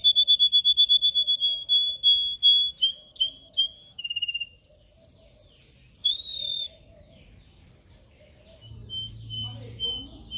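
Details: Caged yellow canary in song training: rapid repeated whistled notes, short varied chirps and trills at shifting pitches, a pause, then a few soft chirped phrases.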